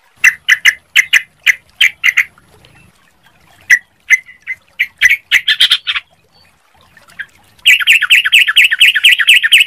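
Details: Yellow-vented bulbul song used as a lure to get other bulbuls singing quickly: bursts of clear, chattering notes, then a dense, rapid stream of rich bubbly phrases near the end.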